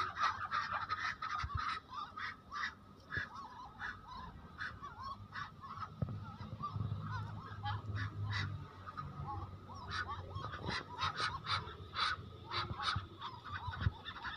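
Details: Farmed Muscovy ducks and other ducks swim noisily in floodwater, giving repeated short, nasal, honking calls over steady rushing water.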